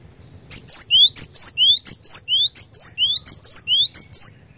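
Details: Vigorous 'gacor' singing from a cinereous tit, a fast repeated three-part phrase of high sharp chirps, a slurred bright note and a rising whistle, about one phrase every three-quarters of a second, steady and loud.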